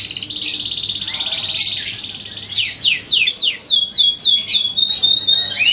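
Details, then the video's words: Canary of the type called blue-blood canary singing loudly: a long sustained trilled phrase, then a series of sharp descending sweeps repeated several times a second, ending with a steady whistled note. "Kenari Darah Biru"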